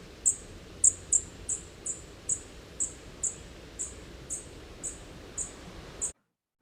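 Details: A fledgling Dark-eyed Junco gives sharp, very high "tick" notes, about two each second at an uneven pace, over a low background hiss; the call sounds very similar to a fledgling Black-throated Blue Warbler's.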